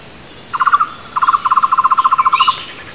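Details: In the wild, a flame-fronted barbet calls hard and loud: a few rapid hollow notes, a short gap, then a long rhythmic string of repeated low notes; another bird gives a faint rising whistle near the end.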